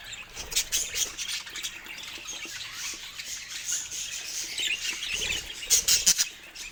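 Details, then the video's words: Chirping of pet budgerigars in a cheerful mood, a continuous high warble from several birds mixed with short rustles and dull thumps, perhaps wing movement, and sharp squeaks near the end. "Budgie Laughter and Chirps — The Sound of Happiness"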